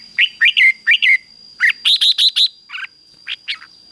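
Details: Red-whiskered bulbul fighting song used to stir up and train caged birds: rapid runs of loud, bright whistled phrases, some rising and others falling, over a steady thin high-pitched tone.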